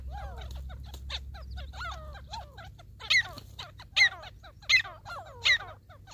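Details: Grey partridge during a hunt in the wild: four loud, sharp high notes repeat about every three-quarters of a second over a busy backdrop of overlapping chattering and squeaky bird calls and a steady low rumble.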